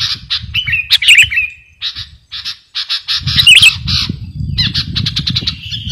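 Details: Sooty-headed bulbul singing busily as master material for luring birds: scratchy chattering phrases with a few sharp squawks, an irregular rhythm, and steady low rumbling underneath.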